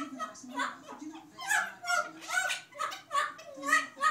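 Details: Two parrots laughing, one out of view: humanlike, breathy ha-ha bursts swelling in rhythmic waves roughly every half second, each pulse a cluster of quick laughing syllables.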